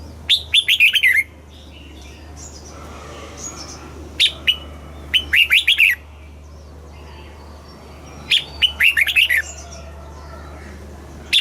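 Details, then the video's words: Caged red-whiskered bulbul from Thailand singing in the southern master-song style, played to excite caged birds and teach young birds: short bursts of bright, warbling, falling notes come in clusters about every few seconds over a steady low hum. "เสียงนกกรงหัวจุก สำหรับต่อ หรือ เปิดให้นกคึก"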